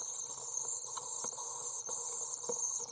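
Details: 24-day-old common swift (Apus apus) chicks being fed in a nest box, 23 June 2012, begging: a continuous high, thin buzzing hiss, broken by soft scratchy knocks and rustles.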